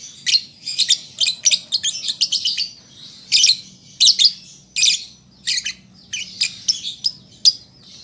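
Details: Juvenile lovebird practising its song, giving a lively run of sharp, squeaky chirps, roughly two or three per second for eight seconds, each a short harsh burst, separated by brief quiet pauses.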